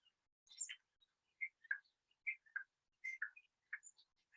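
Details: Common starling in New Zealand, a mimic, giving the call it is normally associated with: a jumbled series of short chirps, clicks and thin whistles, high and varied, several notes per second with brief pauses.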